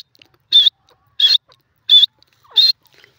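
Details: Jungli teetar, the grey francolin, in a jungle: four loud, shrill, harsh notes evenly spaced about two-thirds of a second apart, with near silence between them.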